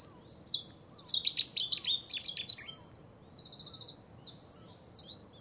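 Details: Cetti's Warbler recorded in 2017. It gives a sudden loud burst of rapid, high whistled notes that tumble down in quick repeated phrases. Thinner high pulsed trills follow, and a faint hiss sits underneath.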